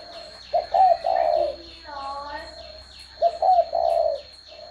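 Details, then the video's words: Spotted dove cooing twice: each phrase a short note, a hoarse upslurred note, then a longer drawn-out coo, about three seconds apart. Soft chirping between phrases and a steady high tone in the background. "CHIM CU GÁY"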